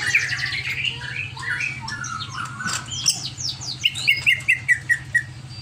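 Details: Greater green leafbird, agitated and over-excited, opens with mixed chatter and slurred phrases, then repeats a clear downslurred whistle about seven times in quick, even succession, over faint low hum.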